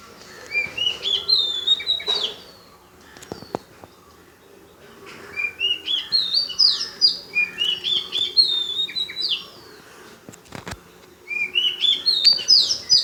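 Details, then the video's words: Unknown bird from Paripally, Meenambalam, Kerala, repeating bursts of rapid rising whistled notes in separated phrases, each climbing higher, with a few sharp clicks and knocks between phrases. "A bird making amazing sound"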